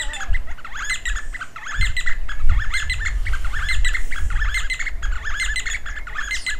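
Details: D'Arnaud's barbet pair calling and duetting near Lake Baringo, Kenya: continuous loud, rhythmic chattering of rapid repeated notes throughout, with low rumbling wind noise beneath.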